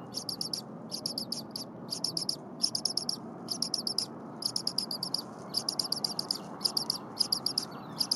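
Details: Bald eagle eaglet, very vocal despite a full crop, begs at the Berry College nest on the morning of 23 January 2022 as its mother prepares frozen leftover prey. Dense trains of shrill, high chirps repeat steadily with brief breaks.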